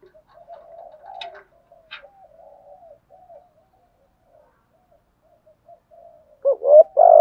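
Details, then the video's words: Lure spotted dove goading wild doves with its calls; faint murmured coos with a couple of clicks, fading to near silence, then loud rich coos burst in at the end. "chim cu mồi thúc đấu và gáy gọi kích bổi rất xiêng gáy"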